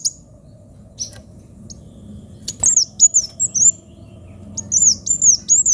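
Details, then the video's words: Sunbird with a sharp voice starts with a few isolated high chips, then delivers several looping, piercing whistles in short, fast groups. "Kolibri wulung gacor suara pedes"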